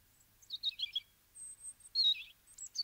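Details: Eurasian treecreeper: brief, very high, thin chirps and short trilled notes in two quick bursts, in an otherwise quiet setting.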